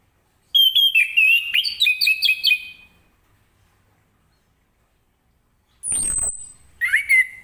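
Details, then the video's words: Orange-headed thrush singing in the morning in the loud, open ngeplong style, meant to get other birds to answer. Bursts of rich whistled notes jump between high and low pitches for about two seconds. Then a quiet gap, a sharp falling swish, and another short whistled phrase. "Anis Kembang Ngeplong Gacor di pagi hari, apapun burung anda pasti ikutan nyaut"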